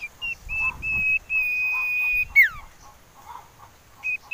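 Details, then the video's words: Common iora whistling, used as a lure to make birds sing: long, level, pure whistles held for about a second each, one ending in a sharp downward slur, with soft low chirps between phrases. "Siulan Merdu Cipoh Sirtu"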